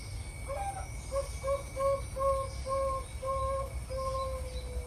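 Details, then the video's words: Zebra dove from breeding stock, the kind bred for a full, rhythmic voice: a run of about nine short, hollow, mellow coos, the early ones clipped and paired, the later ones drawn out and sliding slightly down, over low rumbling noise and a steady faint whine. "SUARA PERKUTUT INI"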